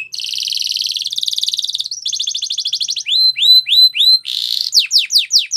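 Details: Canary training song opening with a long, rapid rolled trill held for nearly two seconds, a second shorter trill, then hooked rising notes, a harsh buzz, and falling sweeps.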